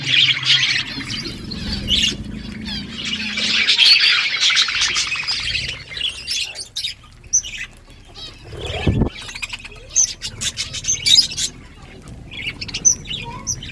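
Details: Budgies chirping in the morning, dense high warbling chatter for the first few seconds, then sparser chirps among clicks, rustling and a loud thump.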